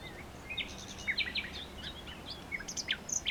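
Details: Nightingale singing: scattered short chirps and brief upslurred whistles, high-pitched, spaced irregularly across the phrase over a steady faint background hiss.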